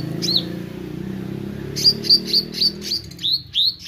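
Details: Meranti bird singing actively: one hooked chirp, a pause over low hum, then a steady series of about eight sharp high notes, each dipping and rising.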